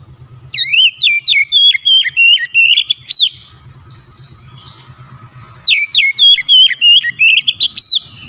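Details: Oriental magpie-robin song played as a fast lure to make birds sing: two long runs of rapid, loud whistled notes with sharp upward flicks and dips, split by a short pause with a soft hiss.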